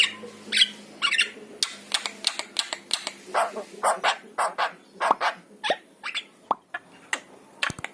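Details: Yellow-eyed Javan myna song, played to provoke pet mynas into singing: rapid harsh, broadband rasping notes repeated in uneven bursts, almost two a second, with a faint low steady hum underneath.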